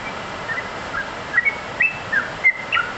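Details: Yellow-vented bulbul singing energetically: sparse, clear whistled notes and brief slurred phrases, some upswept, spaced irregularly against a constant background hiss.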